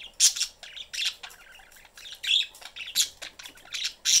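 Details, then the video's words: Budgerigar family kept as pets in a cage with an open door, the mother busy and the young one seeking attention. Loud harsh squawks and chirps come in quick irregular bursts over steady chattering. "family budgies in cage/chriping, mom is busy, kid looking for attention."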